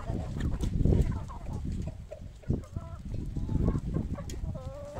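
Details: Feeding time in a poultry yard. Low thumping and rustling come first, then hens break into short wavering calls and quick clucks toward the end.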